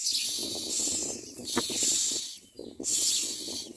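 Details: Common myna chicks in the nest give harsh, rasping hisses in long bursts about once a second, over a low background rumble.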